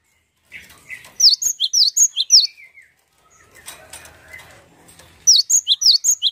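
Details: Cinereous tit song used to lure and stir other birds into singing: bursts of sharp, high, bouncing chirps in quick series, with a short soft gap of rustling between phrases.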